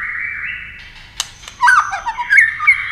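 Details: Competing white-rumped shama, wings and tail flicking continuously: steady whistled notes, a pair of clicks, then a lively burst of rapid slurred whistles and chatters over a low hum.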